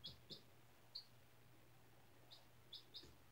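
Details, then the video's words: Indoor domestic chicken chick at four days old, hatched from a white egg in a class project: quick high cheeps in pairs and singles, six in three seconds, over quiet room hum. "My 4-Day Old Chick!"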